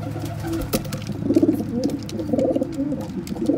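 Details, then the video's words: Pigeons kept by a family member, a parent regurgitating crop milk into a tiny squab's mouth; low, soft throaty pulses, irregular and wavering, with a few faint high chirps above and room noise. "Pigeon Feeding (MILK)To Tiny Baby!!!"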